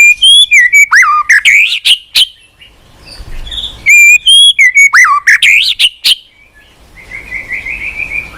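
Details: White-rumped shama song used as a lure for shamas that are reluctant to sing: two bursts of clear whistles mixed with quick rising slurs and sharp clicks, separated by a quiet gap, closing with a softer trilled whistle.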